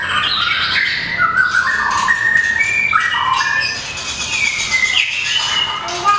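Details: Competition song of a small, long-tailed white-rumped shama kept in a cage: loud, continuous run of varied whistles and warbles, sliding phrases and trills with little pause, over a rustling background.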